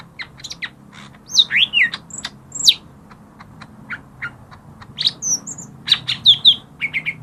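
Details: Lesser green leafbird singing, played as a lure for leafbirds that are lazy to sing: a lively run of high, varied whistles, rising and falling slurs and sharp chirps, delivered in clusters with a faint low hum beneath.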